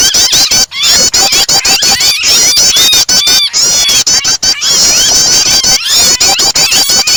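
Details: Prinia starter blended with a pinched, distressed bird: loud, fast strings of sharp chips repeated nearly three times a second, with overlapping tremulous high whistles and a few short breaks.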